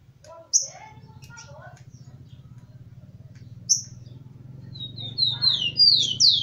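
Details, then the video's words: Tico-tico, the rufous-collared sparrow, a heated captive male with females: a few lower slurred notes and isolated sharp chips over a constant low hum, ending in a quick cascade of bright downslurred whistles. "TICOTICO QUENTE E FEMIA FOGOSA"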